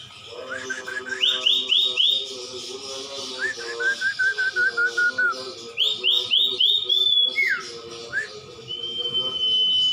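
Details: Common iora song recorded as a training track for songbirds: rapid rising whistled notes in short bursts, buzzy trills and a long level whistle, with steady music underneath.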